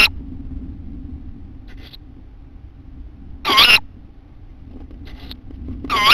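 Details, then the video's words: Owl nest on April 15: a 9-day-old owlet reacts while the female calls the male. Harsh, broadband hissing screeches come in three short bursts roughly every two and a half seconds over a low, steady rumble. "9DaysOld Olet reacting to female calling male"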